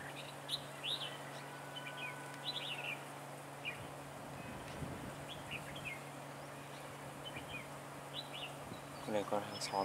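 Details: Red-whiskered bulbul decoy singing a fighting song during trapping on 15 March 2018: repeated quick chirped phrases throughout, with a neighbouring bird said to arrive, and a man speaking at the end.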